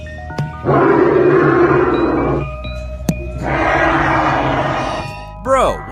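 Australian bustard giving two long, harsh, roaring bursts about a second apart, each lasting nearly two seconds, over background music and a man's voice.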